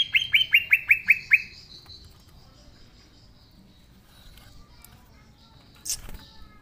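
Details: Green leafbird in full, energetic song, its natural voice used as a lure for young leafbirds not yet singing: a quick run of seven bright downslurred whistled notes, then near silence with one soft click.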